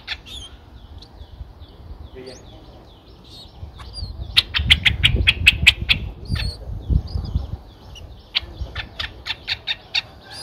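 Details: Nine-day-old Streak-eared Bulbul young in a nest at Ubon Ratchathani, Thailand, 11 April 2023: soft scattered chirps, then a loud rapid burst of chips with rustling, a pause, and a second burst, with other birds whistling in the background.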